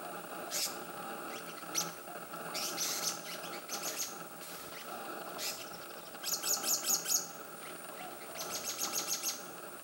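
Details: Black-naped monarch (Hypothymis azurea) giving sharp, high chirps and quick bursts of five or six ringing notes, over a steady low hum of background noise.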